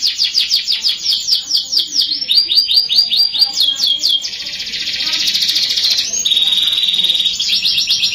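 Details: Canary song used to lure young canaries into singing sooner: a fast, continuous run of high rolling trills and rapid repeated notes, shifting between tours without pause.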